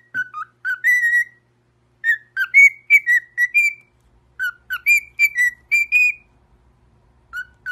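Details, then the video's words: Pet parrot singing a sweet whistled phrase: clear tonal whistles with rich harmonics, short notes in quick bursts of five to seven, pausing between phrases, some notes rising, no other sounds. "Parrot Making The Sweetest Sound Singing"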